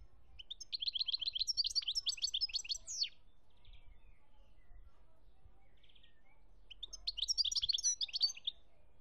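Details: European goldfinch from Algeria, 2017, delivering a long run of rapid, buzzy, tinkling trills that ends in a sharp rising note, then a silent pause before a second bright twittering phrase.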